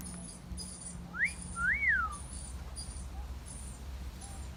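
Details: Parrot kept as a pet, whistling in a garden: one classic wolf whistle, a quick upward note followed by a drawn-out rise-and-fall whistle. Quiet background with faint high tones.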